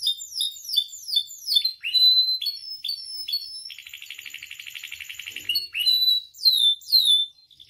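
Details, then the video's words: Singing canary used to provoke and tutor other canaries: a rapid series of high slurred chirps and falling sweeps, a long buzzy rolled trill, then more loud descending whistles. "MASTERAN DAN PANCINGAN KENARI GACOR FULL ISIAN"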